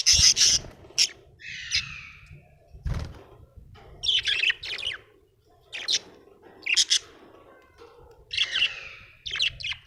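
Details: Cheerful budgerigar chattering with loud scratchy chirps, a buzzy warbled phrase and squeaky notes in irregular bursts, one dull knock early on, quiet hum behind.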